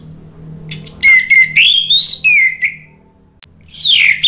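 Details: Orange-headed thrush lure song in the loud, clear ngeplong style, meant to stimulate other birds to sing: a long whistled phrase sliding up and down near the top, ending with a bright descending whistle after a short pause.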